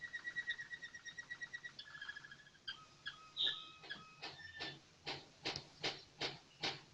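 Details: American Singer canary in melodious song, opening with fast repeated high chirps, shifting to a warbled middle phrase, then slower sharp clicking notes repeated roughly twice per second.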